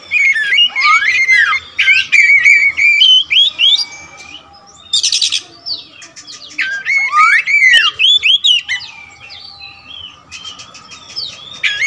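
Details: Kacer wulung, an all-black Oriental magpie-robin with a large repertoire, sings a varied loud song: rising and falling whistled phrases, warbled trills and short harsh buzzy bursts, in two long runs separated by a quieter pause.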